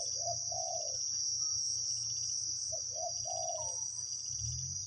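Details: Spotted doves in a forest decoy trapping session, the wild bird noted for its big 'khu-ang' voice. Deep, rounded coo phrases come in pairs of drawn-out notes over a constant high cricket hum and faint low rumble.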